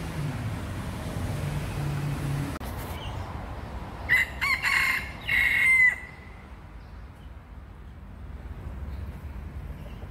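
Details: Rooster crowing in Singapore on 3 May 2020, calling near a hen after flying down from a garden rack to protect her from a person; one strained, multi-part crow lasting about two seconds over steady traffic and street noise.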